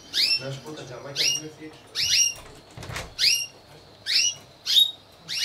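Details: Timbrado Español canaries singing at a song canary competition and show, team category C1 (groups of four), 25 November 2015: bright whistled phrases with falling sweeps, repeated about once a second, with quiet room noise between.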